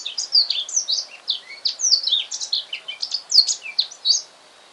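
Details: Newly bought male Black-throated canary singing at home in the afternoon, soon after arriving: a continuous, rapid warble of varied high, sweet twittering notes and short slurred whistles, loud and clear against a quiet background.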